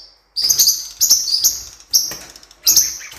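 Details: Blue-winged parrotlet, cuiubinha, recorded for training: four bursts of high, squeaky chirps, each a quick doubled tweet, spaced about two-thirds of a second apart.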